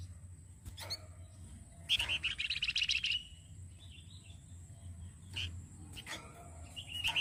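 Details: Flamboyan singing as a master for training other songbirds: sporadic clicks, then a loud one-second buzzy rattling trill of rapid notes, a soft warbled phrase, and more scattered chips against a low hum.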